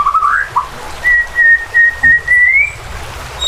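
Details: Excited white-rumped shama singing to provoke rival birds. A few short warbled notes, then one long, clear, steady whistle that rises slightly at its end.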